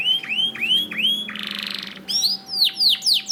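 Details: Canary song used to train canaries to sing: repeated rising-then-falling whistles, a brief buzzy trill, then sharp downward sweeps, over a faint steady hum.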